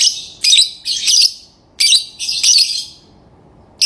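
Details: Lovebird giving loud, raspy, high chirps in short doubled bursts, a few per second, then a pause and another burst at the end.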